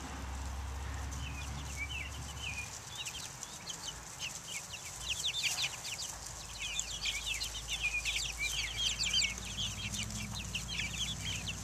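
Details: Chicks of Buff Orpington, Black Australorp and Americana breeds taking the air outdoors in 2010, a dense chorus of rapid high peeps, many birds calling at once, with a low rumble early on.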